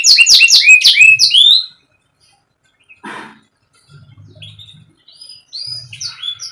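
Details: Canary tutor song for juvenile or stalled canaries: under two seconds of rapid repeated downslurred whistles. Near silence follows, with a faint noise and a few soft distant whistles near the end.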